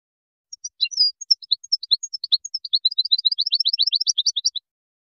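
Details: Moroccan goldfinch singing in the Widani style: sparse high tinkles building into a long, accelerating chain of crisp chirps that rise and fall in rapid rhythm.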